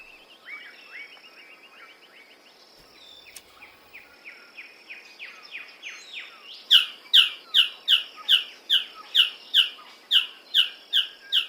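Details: Male Magnificent Bird-of-paradise calling loudly from low bushes to impress a female during courtship: soft chattering notes build into a run of loud, sharp, downslurred notes repeated about every half second, in a quiet forest.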